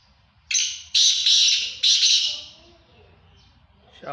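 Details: Black francolin calling in Sindh, Pakistan: a loud rasping phrase of three harsh, buzzy bursts, the last fading gradually, followed by quiet background and a faint low rumble.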